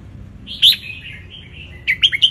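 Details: Wild-caught Ratchaburi-type red-whiskered bulbul sunning itself, its song played to teach young birds to sing along; a bright whistled phrase, then a long quiet gliding warble and a few sharp chirpy notes at the end.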